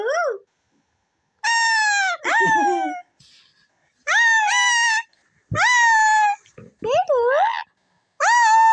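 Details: Green pet ring-necked parrot indoors mimicking words like "mummy" and "papa": a run of clear, high harmonic syllables with rising and falling pitch in short bursts separated by pauses.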